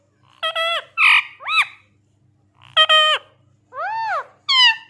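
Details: Pet parrot vocalizing in short bursts: nasal, harmonic-rich syllables with bending, arched pitch contours, grouped in quick runs of three with brief pauses between, clear and close with a quiet background.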